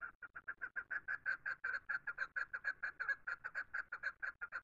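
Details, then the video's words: Natural chukar call: steady, loud series of throaty chuk notes repeated roughly twice a second, evenly spaced and unchanging in pitch for the whole stretch. "Chukar:The Natural Call"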